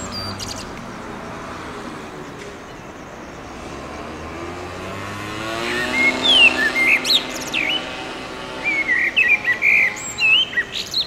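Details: A male common blackbird sings at sunset from an elevated point near a railway pedestrian bridge in urban Oradea, short fluted and chirping phrases in bursts over the second half, against steady road-traffic rumble.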